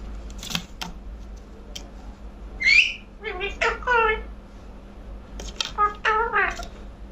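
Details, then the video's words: Indoor talking parrot mimicking words: a rising whistled note followed by warbling speech-like phrases in short clusters, with a constant room hum behind. "Talking parrot"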